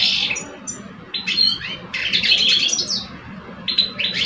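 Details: Goldfinch singing duel between two caged males in Algeria, one mature, one aged two; crisp twittering phrases with a prolonged bright trill in the middle, then short chirps.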